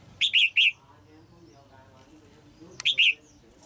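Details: Caged female red-whiskered bulbul, singing to stimulate an adult male, gives two short phrases of rich, warbled whistled notes about two seconds apart, over a low background murmur.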